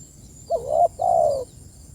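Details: A single spotted dove phrase sent out to its companions: a soft, wavering first coo, then a longer smooth coo sliding slightly lower, with only a faint high hiss behind.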